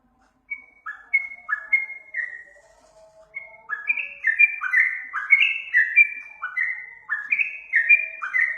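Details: Yellow-vented bulbul tutor song recording, used to train other songbirds: after a brief pause, bright whistled two-part notes, each dropping in pitch, run in a lively chattering stream that grows denser and louder toward the end.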